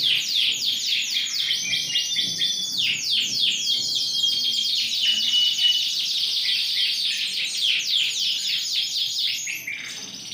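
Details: Ring 20 Yorkshire canary singing actively, recorded 28 January 2021. A long unbroken chain of quick, bright, downward-sweeping notes forms steady rolling trills, fading slightly at the very end.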